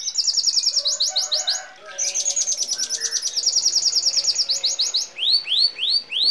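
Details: Red siskin on a song-training recording sings a fast, high, rolling twitter of rapid chirps and trills, ending in a few slurred, falling whistles.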